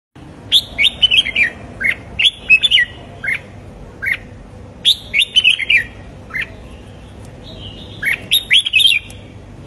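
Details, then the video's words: Caged red-whiskered bulbul singing a morning training song in the fighting style used to stir young birds: bright, chattering whistled phrases that rise and fall, delivered in quick bursts with short pauses between them. "Luyện chào mào hót sáng"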